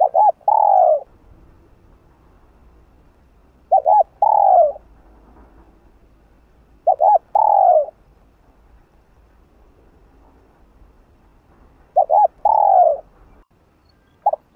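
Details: Spotted dove repeating its stirring call in the 'hạp bổi' voice, four full phrases spaced roughly four seconds apart, each a quick double note leading into a longer falling coo, in quiet surroundings.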